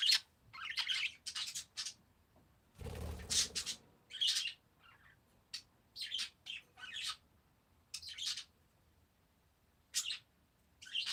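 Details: Parakeets calling in a calm setting: a series of short, bright chirps and squeaky notes in quick bursts, with a brief scratchy rustle or flutter partway through.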